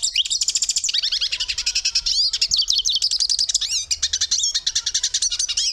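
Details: Hooded siskin in sustained song, a rapid stream of high, tinkling chirps, twangy trills and quick upslurred whistles delivered almost without pause for nearly six seconds.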